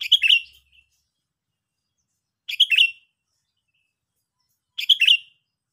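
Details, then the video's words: Sooty-headed bulbul, used as lure audio for trapping: three short, bright chattering bursts, each a quick cluster of notes about half a second long, spaced roughly two and a half seconds apart, with silence between. "King Of kutilang"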